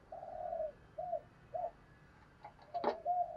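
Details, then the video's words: Spotted dove in thổ sấm voice, quieter and more distant: three smooth low coos, then a sharp click and a final drawn-out coo over a steady background hiss. "chim cu gáy ra nhiều bài"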